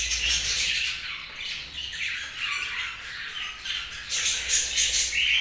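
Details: Budgies chirping together: a dense, continuous chatter of high, scratchy warbles and squawky notes from several birds overlapping, with no pauses.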